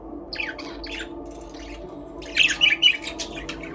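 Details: Aviary budgies singing and playing: a few soft, scattered chirps at first, then a louder run of rapid, squeaky warbled notes near the end, over a quiet steady hum.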